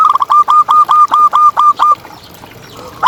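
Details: A loud, close champion zebra dove from a contest-bird tutor recording. It delivers a rapid series of about nine ringing coo notes at a steady pitch, each with a quick downward flick, before a short pause and the start of another phrase.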